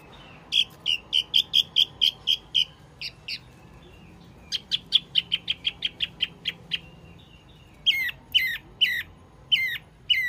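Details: Wambi lure call: long runs of rapid, evenly spaced high chirps, about three per second, ending in louder looping notes that sweep up and down.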